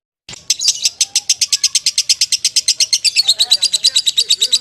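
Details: Lovebird of the legendary champion line in a long rapid trill of high, buzzy repeated notes, about three per second and steady throughout, with faint lower sounds in the background.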